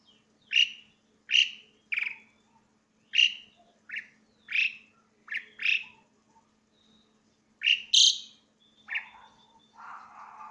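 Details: Asian pied starling singing loudly: a steady run of about a dozen short, harsh, buzzy notes at uneven intervals, ending with higher squeaky notes and a raspy, noisy final phrase, with a faint hum beneath.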